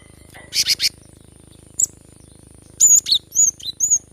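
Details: Cinereous tit (gelatik batu) in a recording meant to get reluctant birds singing: three quick buzzy high chirps, a pause, then a run of clear high whistled notes, some sliding down, over steady faint background hum.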